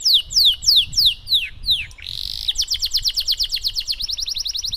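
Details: Canary singing a luxurious 'cengkok mewah' song meant to train canaries to sing; slow downward-sweeping whistles, then a brief buzzy burst, then a rapid run of repeated sharp notes.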